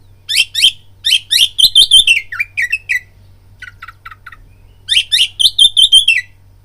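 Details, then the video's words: Oriental magpie-robin lure song to trigger fighting: rapid bursts of chirps and bright whistles, a pause with soft stuttered notes, then another quick energetic phrase, over a faint electrical hum. "BIRAHI TARUNG KACERMU NAIK DENGAR PANCINGAN KACER INI BUNYI"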